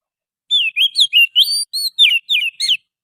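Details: Oriental magpie-robin from the forest singing a lure song: about ten quick varied notes, swooping whistles and sharp chirps in a bright rhythmic run over silence.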